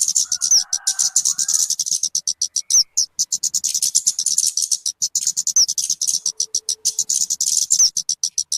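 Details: {'caption': 'Talokan or kemade, a call for luring or tutoring birds: continuous high, buzzy ticking at a rapid pace, with a few sharp whistles and faint lower tones early on.'}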